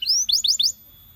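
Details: Brief canary song fragment, sung to set other canaries singing: a rising whistle followed by three quick, bright, upward-slurred chirps, then quiet.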